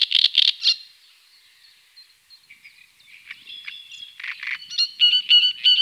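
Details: Tovačov ponds, Czech Republic, 2013–2014, great crested grebe with young: a few harsh high squeals, a lull of faint thin whistles, then clear repeated whistled notes with ringing overtones.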